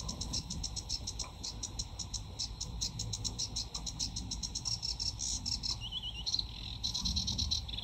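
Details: Sedge warbler, a summer breeding visitor to the UK, singing in full flow: rapid chattering series of high, dry repeated notes, with a brief wavering whistled trill near the end, heard fairly quietly against a low background rumble.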